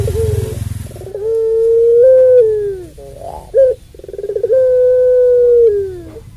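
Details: Long call of a puter pelung dove, meant to stir other doves to call. A short note, then a sustained coo lasting over a second that slides down at the end, a brief break, and another long held coo.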